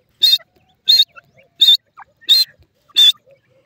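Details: Grey francolin, called irani teetar, giving five loud, harsh, ringing notes at a steady pace of roughly one every 0.7 seconds, with faint chirps between them.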